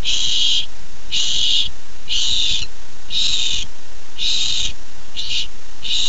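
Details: Barn owl owlet on a nest camera, excited to get its first treat, giving harsh hissing screeches about half a second long, repeated roughly once a second, with low rumbling background noise.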